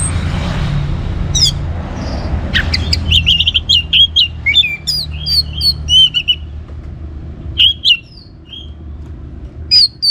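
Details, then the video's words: Orange-headed thrush in lively song used to trigger singing in other birds: a stream of short, varied whistles, upslurs and chips delivered in quick succession, over a soft low rumble. "ANIS MERAH Gacor Untuk Memancing Burung Jadi NGeplong Bahkan Teler"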